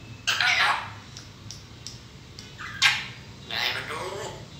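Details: Talking grey parrot producing three harsh, speech-like bursts of mimicked words, each about half a second long, separated by quiet pauses, over a low steady background hum.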